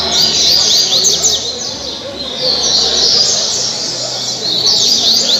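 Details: Double-collared seedeater (coleiro) in caribe song style, caged, Angra dos Reis, Brazil: bursts of quick, high, slurred chirps at the start, middle and end, separated by brief quieter gaps, with hissing background.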